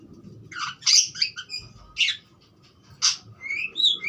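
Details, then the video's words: Budgerigar giving scattered harsh, scratchy chirps and a few sharp squawks with short gaps, ending in a rising whistled squeak. "suara burung parkit joss"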